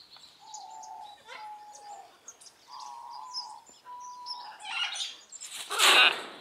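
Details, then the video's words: A pair of white-browed woodswallows in a large open flight aviary, feeding on mealworms, give soft, steady, slightly nasal mid-pitched notes with chirpy higher chatter, ending in a loud burst of wingbeats or rustling. "White browed Woodswallows"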